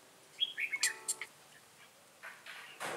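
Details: Red-whiskered bulbul at a trapping session in Bình Phước, Vietnam, 25 June 2018: a short burst of clear whistled notes sliding downward, then a few quick chirps. A man speaks nearby, and a rustling noise closes the clip.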